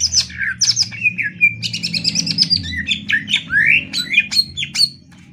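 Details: Greater green leafbird song used to train other birds: a varied, rapid medley of high whistles, sharp downslurs, rising sweeps and chattering phrases, with low background rumble.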